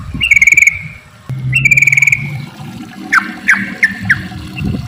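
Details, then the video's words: Sooty-headed bulbul song used to prompt other bulbuls to sing: two long trilled whistled phrases near the start, then short bubbly downward notes, with low rumbling background noise. "trucukan gacor ropel panjang buat pancingan trucuk agar bunyi"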